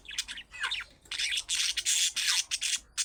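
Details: Loud, harsh budgerigar squawks and scratchy chirps in rapid runs, with a few short gaps, used to get pet budgerigars to call back.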